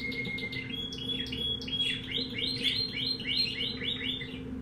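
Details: Pet-shop canary of unknown breed singing in a cage: whistled notes, then a fast run of rising and falling chirped syllables repeated several times a second, with steady low hum behind.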